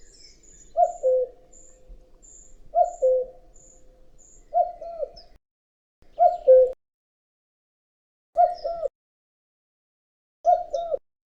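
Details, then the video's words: Spring Common cuckoo repeating its falling two-note cuckoo six times, about every two seconds, clear and hollow, while faint high thin notes from another bird sound early on. "Common Cuckoo Call | The Famous Cuckoo Sound of Spring"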